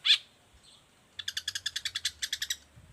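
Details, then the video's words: A long-tailed shrike, described as a model for other shrikes, gives one sharp high note, then a quick train of about fourteen evenly spaced rattling notes over roughly one and a half seconds. "Cendet gacor cocok buat masteran juga pancingan cendet lainnya"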